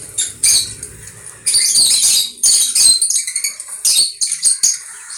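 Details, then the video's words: Conure producing loud, grating, high-pitched squawks, one sustained harsh outburst followed by a string of quicker, sharper chirps with short silences between. "Conure bird"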